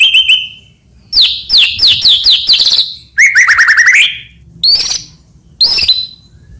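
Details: White-rumped shama, Medan type, in vigorous song full of imitated phrases, meant as a master song for training other shamas; a short trill, then sets of quick repeated chirps, a buzzy rolling burst, and two isolated sharp notes.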